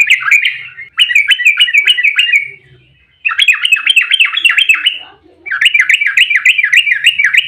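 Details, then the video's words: Agitated fighting song of a yellow-vented bulbul, a tight rolling ropel used to provoke other bulbuls into singing: three rapid bursts of bubbling, repeated notes with brief pauses between them. "trucukan GACOR EMOSI ROPEL RAPAT buat pancingan trucuk agar cepat bunyi"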